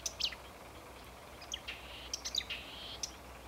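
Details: Marsh warbler recorded 8 May 2015 at Homolka ponds, Velké Poříčí, giving short, sharp high chips and scratchy notes at an uneven pace over a faint steady background hiss.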